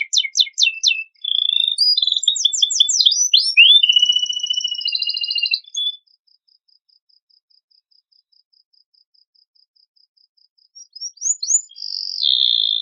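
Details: Canary song used to prompt other birds to sing: rapid descending note series, fast trills and a long buzzy rattle, then several seconds of silence before a few rising whistled notes resume.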